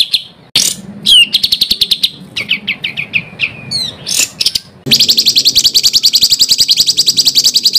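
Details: Songbird master recording for contest bird training, harsh and rolling: a mix of sharp whistled slurs and quick chattering phrases, then a long fast, high rolling trill.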